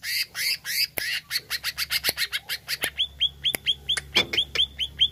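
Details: Greater green leafbird singing, a recording meant to excite a kept bird: rapid rasping, chattering notes repeated several times a second, giving way to a steady string of sharp upswept whistles.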